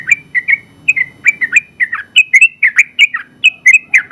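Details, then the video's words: Winning yellow-vented bulbul in active song: rapid, chattering runs of bright whistled and burbled notes, growing busier toward the end, with soft low sounds underneath. "Suara Burung Trucukan Gacor ropel panjang ampuh buat masteran trucuk"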